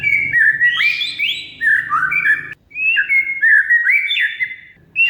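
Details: Oriental magpie-robin (kacer) singing to coax a silent bird: varied phrases of rising and falling whistles and buzzy sweeps, split by a short pause, with a low hum underneath.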